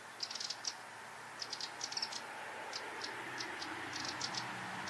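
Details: Eurasian wren singing: faint, high, rapid clusters of sharp ticking notes in short bursts, set against a steady broad rushing background.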